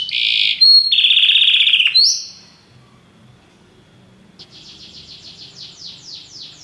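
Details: Belgian canary song used to teach other canaries: loud, rapid, rattling trills in two bursts with a sharp high note between, a pause, then a softer series of quick repeated sweeping notes.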